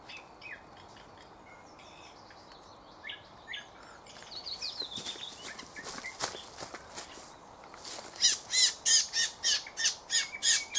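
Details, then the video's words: Thrush nightingale song, recorded 2024: soft scattered notes at first, building into loud, broad, rattling notes repeated about three times a second toward the end. "bulbul ovi vostochniy Nightingale singing соловей восточный"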